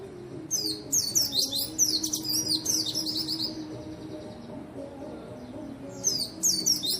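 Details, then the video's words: White-eye singing energetically, used as a lure and tutor for white-eyes reluctant to sing: rapid high, thin twittering phrases of fast descending notes in two bursts with a pause between, over a low steady hum. "burung pleci gacor!!! efektif untuk pancingan dan masteran pleci yang malas bunyi"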